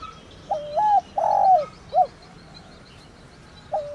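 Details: Thổ đồng style calling coo of a spotted dove (cu gáy), a bird of village fields, meant to make decoy doves answer quickly. One full three-note phrase of rolling coos ending in a short clipped note, then another phrase begins.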